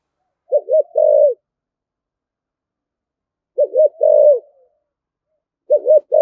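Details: Spotted dove giving a spirited 'thổ thúc gù' style coo: low hollow coo phrases, two short notes then a longer swelling one, repeated about every three seconds with silence between.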